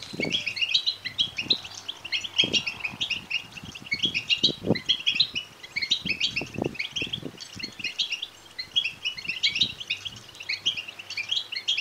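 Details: European goldfinch chicks begging, sounds played to stimulate males to sing and mate: a dense, continuous chatter of high, rapid chirps with irregular soft thumps and knocks below.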